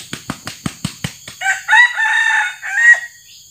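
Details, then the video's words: Red junglefowl crow during traditional luring in Sumatra with a trained male decoy only about six months old: a run of sharp wing-flaps, then a harsh, strained multi-part crow with a rising middle and a clipped ending, over steady insect drone. "mikat ayam hutan merah terbaru"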